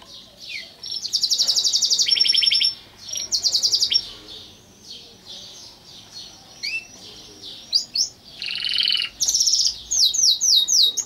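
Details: Pet canary singing at home in Italy: bursts of fast, bright trills and rolling phrases, interrupted by short pauses and a few rising and falling whistled notes, with quiet background hiss.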